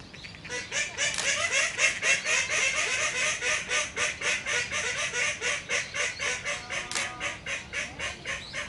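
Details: Common kingfisher in Inokashira Park, Tokyo, on 8 November 2019, a female courting a male by chasing him and edging closer with calls; a fast, regular train of sharp high notes, about four per second, with a man speaking briefly at the end.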